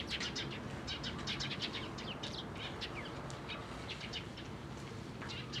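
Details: Eurasian tree sparrows recorded on 4 February 2012, giving quick, overlapping high chirps and tweets in a dense, irregular stream of several calls a second, over a steady low background hum.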